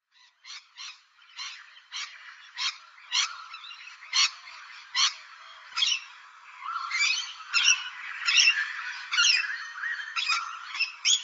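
Rainbow lorikeets screech in harsh, grating bursts about once a second, building into an overlapping chorus of shrill squawks and chatter from several birds.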